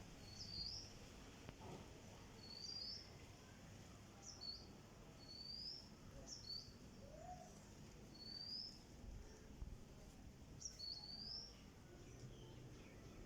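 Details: A cockatiel that has suddenly stopped walking and keeps falling gives short, high, upward-sliding chirps, repeated about every two seconds over steady low background noise.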